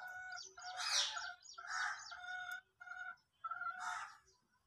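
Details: Indian peafowl during a dance display with train feathers spread, giving loud harmonic calls in several bursts, some rising and some steady, with short gaps between.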